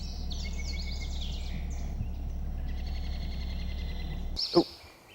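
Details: Black-headed Grosbeak in quiet riparian bottomland nesting habitat along the Bitterroot River, western Montana, sings quick, high warbled phrases like a sped-up robin over a low rumble, with western wood-pewee and yellow warbler nearby and a sharp knock near the end.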